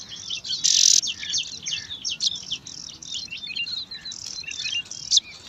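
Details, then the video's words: Five bar-winged prinia chicks jostle for food at their nest in alang-alang grass; a loud rasping burst opens, followed by busy, rapid high-pitched chirping and twittering throughout. "Lima Anakan Burung Ciblek Rebutan Makan"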